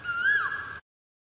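A single clear, whistled Asian koel note, swelling slightly upward and then sliding down, lasting under a second before silence.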